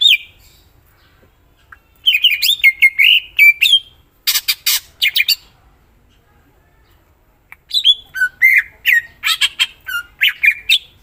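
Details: Greater green leafbird in energetic song, full of variety: rapid chains of chattering chirps, harsh rasping notes and quick whistled slurs, broken by brief silences.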